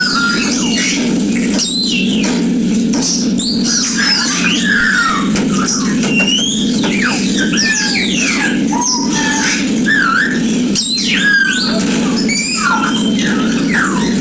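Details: Harness-trained cockatiel calling: quick whistled chirps and sweeping notes, rising and falling, over a steady low hum.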